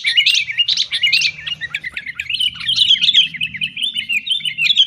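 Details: Sooty-headed bulbul noisy chatter used to prompt caged birds to sing; continuous rapid warbled and chirped notes throughout, somewhat louder early and late, over a steady low rumble.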